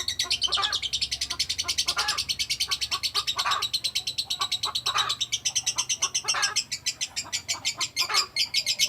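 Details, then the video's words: Lovebird ngekek, a long unbroken chatter: fast, shrill, rattling notes repeated many times a second, high-pitched and relentless, with occasional louder harsh accents. "Love Bird ngekek durasi panjang"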